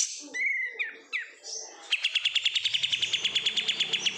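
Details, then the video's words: Oriental white-eye, a caged bird raised from bulk market stock, gives a few high whistles and slurs, then breaks into a fast, regular trill of sharp repeated notes. "menikmati suara kapas tembak KG"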